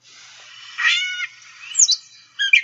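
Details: A Gray Catbird's song, played back from a field-guide recording: a nasal, cat-like mew, then brief varied squeaky mimicked phrases, each given singly, over faint background hiss.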